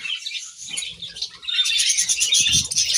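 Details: Budgies eating grass with continuous high chattering and rapid twitters from several birds, plus soft low rustling and tapping sounds.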